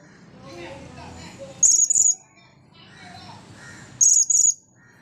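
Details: Blue-crowned hanging parrot after drying off from a bath, giving two shrill, very high squeaky bursts, each split into quick double notes about two seconds apart, over a soft low murmur of background noise.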